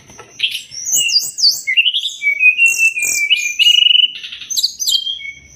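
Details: Master recording of a Sumatran leafbird for training songbirds, a continuous run of looping whistles, swooping slurs and a fast trilled note, over a constant thin high tone.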